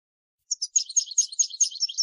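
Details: European goldfinch singing the chick-teaching song, a rapid run of high, tinkling, liquid twitters and trills after a brief silence.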